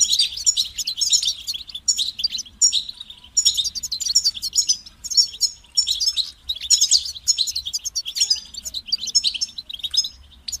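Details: European goldfinch singing continuously to stimulate other goldfinches: long streams of high, jangling twitters and quick trills, organised into phrases with clear starts and stops and short gaps between them.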